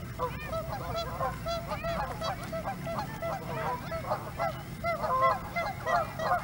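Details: A close group of Canada geese at Hawreluk Park Lake honks loudly and almost without pause, with overlapping nasal, slightly rising calls about once a second or faster.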